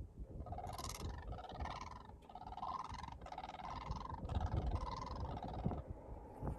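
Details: Blue Cranes calling near Colesberg, South Africa: a run of rasping, nasal croaks, about one a second, each slightly rising then falling, over a steady low rumble of wind.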